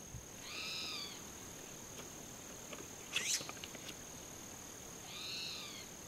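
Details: Spotted towhee giving its contact call in Arroyo de la Mina near Embudo, New Mexico, on 9 July 2012: two nasal, cat-like mewing calls about four seconds apart, each rising then falling, over a steady high whine and a brief rustle.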